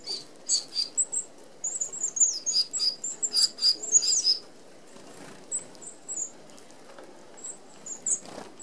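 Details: A whir of Red-browed finches, an Australian native species, feeding as a flock at an open aviary feeder; dense, rapid high thin calls and wing flutters for about four seconds, then sparser single peeps.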